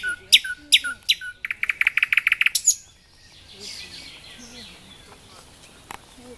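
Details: Song of a nightingale recorded in Dubki park, Sestroretsk, Saint Petersburg: several sharp whistled notes, then a fast even trill of chirps, followed by quieter soft warbling.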